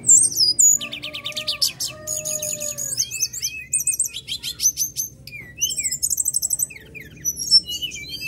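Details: Brown-chested jungle flycatcher in full rough-phrase song, used to get caged birds singing; opens with loud buzzy trills and low wavering whistles, then quick chirps, rattles and sharp downslurred notes.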